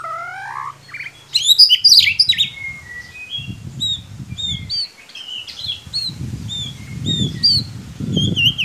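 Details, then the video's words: White-rumped shama (murai batu) song used as a lure sound to get a chirping, quiet bird singing: rising whistled notes, then dense bursts of high chirps and slurred whistles over low rumbling noise bursts. "Solusi murai ngiriwik kurang gacor cukup dengarkan suara pancingan ini pasti nyangut"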